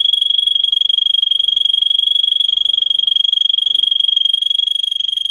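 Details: Russian singer canary, a breed kept for singing whose song holds 10-15 high tone variations over 45-60 seconds, used to train canaries: a rapid, even pulsed trill held steadily at one high pitch throughout.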